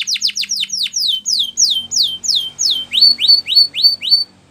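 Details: Spanish Timbrado canary song used to train canaries, made of steady downslurred whistled notes repeated about three per second, shifting to short upslurred notes near the end.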